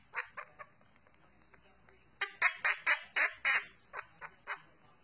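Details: Pet Quaker parrot giving the Addams Family song: a few soft scattered notes, then about seven loud hoarse squawked beats in quick succession, trailing off into quieter single notes against a light room hiss.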